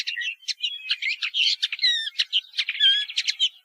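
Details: Song of a woodchat shrike, a varied jumble of squeaky chirps, buzzy trills and clear whistled notes in quick succession, some rising or falling slurs, over a clean, quiet background.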